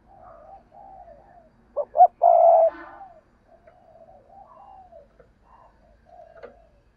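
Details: Near spotted dove delivers two brief coos and then a sustained, rich coo, set against gentle, continuous cooing from further-off doves.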